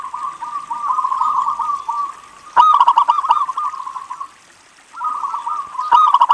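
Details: Local zebra dove singing steadily, kept as a lure to get other zebra doves singing; rolling, bubbly cooing trills around one pitch, with two louder staccato bursts of sharp notes interrupting the phrases.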